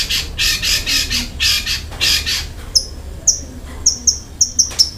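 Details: Long-tailed shrike voicing coarse fill-in notes and rapid shots: a run of broad harsh rasps, then a series of brief, thin, very high whistled pips.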